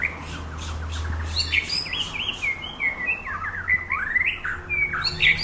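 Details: White-rumped shama in training at Samadua sings a lively string of varied whistled phrases, with rising and falling slurs and short chirps tumbling one after another.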